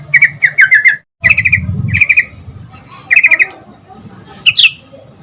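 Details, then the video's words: Sooty-headed bulbul sings to make other bulbuls reply: short rattling bursts of quick repeated notes, about five phrases with uneven gaps, a low rumble underneath, and a brief dropout near the first second. "Suara Trucukan Gacor Agar Burung Trucuk Cepat Nyaut"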